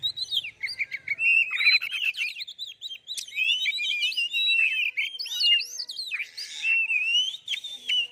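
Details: Oriental magpie-robin song used to provoke other birds into singing: a continuous, rich run of high whistles, rapid trills and sweeping slurred notes that rise and fall without a pause.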